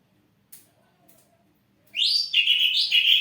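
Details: Ashy drongo kept in a cage as a lure for other birds: after faint clicks, a loud warbling run of whistled notes with quick pitch shifts for over a second.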